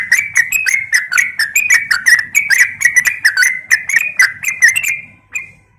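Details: Female yellow-vented bulbul calling to a male, used to lure. Fast bubbly chatter of bent, twangy notes pours out for about five seconds, then stops, leaving one faint closing note.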